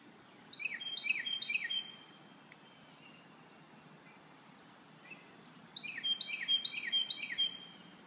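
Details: Springtime birdsong: two matching phrases, each of five sweet descending whistles in quick even succession, separated by about four seconds of quiet background noise.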